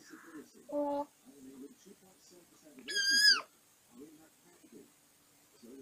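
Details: Quiet bedtime babbling from a male African grey parrot beside a camera next to his cage: low murmuring syllables throughout, a brief tonal note, and one loud rising-then-falling whistled squeal midway.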